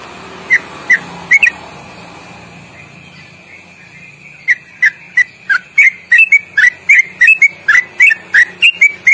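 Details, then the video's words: Sooty-headed bulbul in a long, loud ropelan-style trill with quick inflections, used as training song: a few spaced whistled chirps, a quiet pause of nearly three seconds, then a rapid, accelerating run of short bending whistles. "Masteran Trucuk Gacor Ropel panjang mantap"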